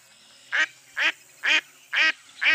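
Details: Mottled duck quacking loudly: five coarse, nasal quacks about half a second apart, strong and clear against a quiet background.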